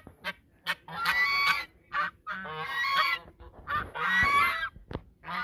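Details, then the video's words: Geese calling in a duet at the mouth of the Sosúa river in the Dominican Republic; loud, harsh, nasal honks in uneven bursts, some long and drawn out, others short and clipped, with brief quiet gaps between. "El canto de los gansos desde la boca del río Sosúa"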